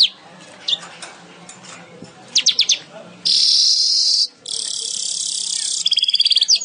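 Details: Singing weaver: scattered faint chips, then two long loud hissing buzzes separated by a brief gap, finishing with a quick burst of short repeated notes.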